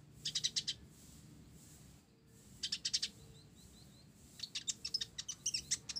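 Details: Olive-backed sunbird of the 'blorok' kind, singing hard with sparrow-like phrasing: groups of quick high chirps, a brief lull, then an accelerating, tumbling series of sharp notes toward the end.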